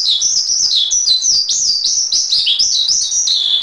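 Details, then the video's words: A Javan pied starling on a master recording sings clear whistled slides and quick twitters, pitched high, in a fluent, nonstop phrase. "Masteran Suara Jalak Suren"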